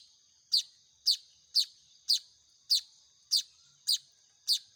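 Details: Hand-fed Baya weaver chicks give eight sharp, high chirps in quick succession, roughly twice per second, each a short bright burst over a faint high hiss.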